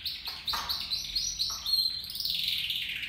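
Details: Caged copper mosaic canaries, two males and two females together in a flight cage, deliver a rapid run of high chirped notes that flow into a sustained, slightly falling warbled trill.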